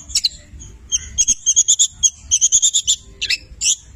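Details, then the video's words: Cendet Petir, a long-tailed shrike, in full mimicry song with labet and canary phrases: a fast run of thin, very high ticking notes, roughly a dozen in quick succession, ending in a few lower buzzy chirps. "Masteran Cendet Petir gacor, Full isian mewah Labet dan kenari"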